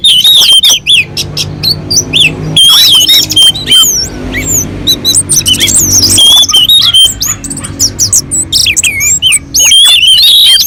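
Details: Orange-headed thrush on a mountain slope, song used to draw other birds into singing: long run of loud, rapid whistled and warbled notes, many short phrases repeating quickly, with a steady low hum underneath.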